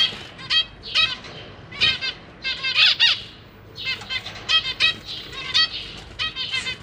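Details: Caged zebra finches, parents feeding three juveniles and three new babies, May 2023: nearly continuous run of buzzy, nasal squawking calls, several overlapping, rising and falling in loudness.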